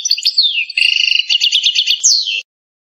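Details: Algerian European goldfinch giving campero pipiniere song: falling slurred whistles lead into a fast, tinkling trill, then a sharp rising-and-falling flourish, all high and clear.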